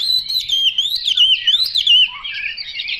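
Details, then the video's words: Short burst of Chinese hwamei song: clear, bending whistles that loop up and down in quick succession. It closes with a softer, jumbled warble. "Họa mi mộc dở"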